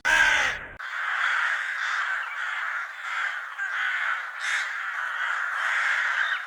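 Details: Crows gathering and fighting over food, a short tonal sound at the start giving way to a dense, continuous chorus of harsh overlapping caws from many birds, with no clear pauses.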